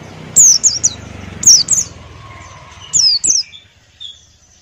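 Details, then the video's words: ['Ngalas-style song of a male Buxtoni white-eye, kept as a tutor bird: bright, very high descending whistles in pairs and triplets, repeated about every second, over faint low background hum.'] "Masteran Pleci Buxtoni Ngalas Buka Paruh"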